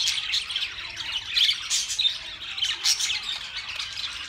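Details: Budgerigars calling in quick overlapping scratchy squawks and thin chirps, with sharper louder notes standing out every second or so above a constant chattering background.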